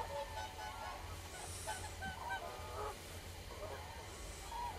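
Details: Common crane voices: drawn-out, slightly wavering honks from a number of birds overlap at moderate volume, with a continuous low rumble underneath.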